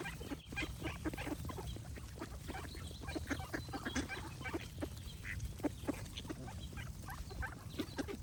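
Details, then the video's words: Busy duck chatter: many short rasping quacks tumble over one another without pause, with a low droning rumble underneath and occasional thin bird notes. "Cute Ducks Quack Sound Effects with Birds Singing"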